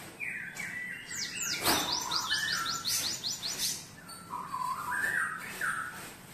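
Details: Canary-trained cinereous tit in a cage: bright whistled notes, a short burst of quick high rising chips, then scattered lower fluting and warbled phrases with brief pauses. Some low background noise.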